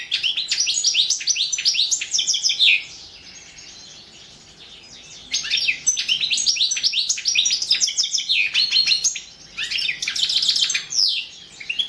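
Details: Competition recording of a European goldfinch, Carduelis Balcanica, in the 2017 online world song championship; three long bouts of fast, liquid twittering and tinkling trills with brief pauses between, high and continuous, no other sounds.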